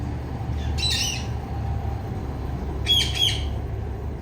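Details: Female Indian ringneck parakeet giving two short bursts of harsh, buzzy squawks about two seconds apart, each a tight cluster of rasping notes, against a constant low rumble.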